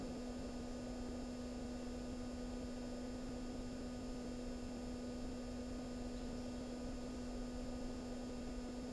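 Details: Steady electrical hum with a constant low drone and even hiss throughout, no animal voices audible.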